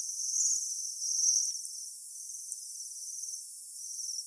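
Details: Japanese Waxwings, winter visitors at Saiko, Saitama, Japan, give very high, thin, buzzy trilled 'seee' notes in overlapping bursts, seemingly several birds together; the calls were edited in to replace photographers' shutter noise.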